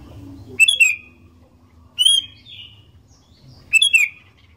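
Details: Sooty-headed bulbul in full song, used as a lure to get other bulbuls singing: three short bright whistled phrases, each dropping and trailing off, spaced about 1.5 seconds apart, with a faint low hum underneath.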